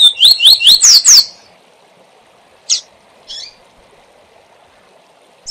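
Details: Double-collared seedeater singing the SIL SIL ZEL ZEL song type, a tutor song used to teach young birds. About five rapid, sharply rising whistled notes in just over a second, then a few isolated short chirps over quiet background.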